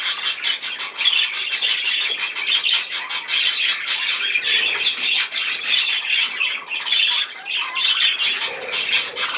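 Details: Long run of budgerigar chattering, fast buzzy pulses repeated in a steady stream, with occasional whistled rising notes and a brief dip near the seventh second.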